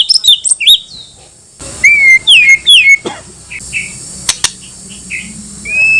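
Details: Varied white-rumped shama song used as bait for other shamas: quick high looping whistles, then a phrase of level and falling whistled notes, then softer scattered notes and a final long whistle.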